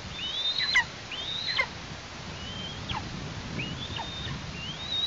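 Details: In Tatarstan in August, an eastern imperial eagle chick at the nest utters around six thin rising whistles with falling ends, somewhat irregular and fainter, over low rustling and outdoor background noise.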